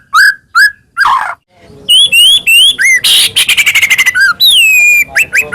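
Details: Varied white-rumped shama song meant to set other shamas singing: short whistled notes, a rough squawk, looping upslurred whistles, a grating buzz, a rapid chattering trill and a long descending whistle, with faint background noise.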